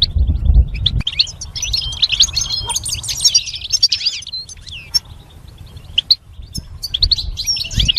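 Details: Training song of a goldfinch, a dense tumbling run of high twittered notes and fast trills in the middle, with scattered single chirps at either end and a low rumble beneath.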